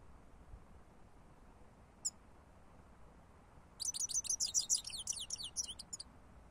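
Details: A European goldfinch gives one sharp high note, then after a pause bursts into a fast, dense twitter of tinkling, liquid chirps lasting about two seconds. The background is quiet and steady.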